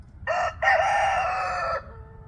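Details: Rooster in a crowing competition between roosters, giving a loud crow: a short opening note, then a long steady harmonic cock-a-doodle lasting over a second before cutting off.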